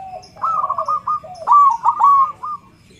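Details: Loud-voiced zebra dove (perkutut) singing as a vocal tutor to set other perkutut singing: two cooing phrases of rapid stuttered notes, dropping then level, with faint high chirps of small birds behind.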